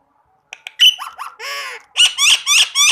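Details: Green rose-ringed parakeet calling: a few sharp clicks, then harsh harmonic squawks and one drawn-out nasal note, ending in a run of four loud, rasping screeches.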